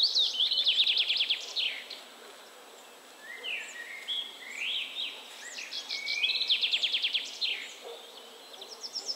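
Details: Willow warbler singing two quick phrases of high, clear repeated notes, one at the start and another near the six-second mark, with lower slurred whistles from other birds in between.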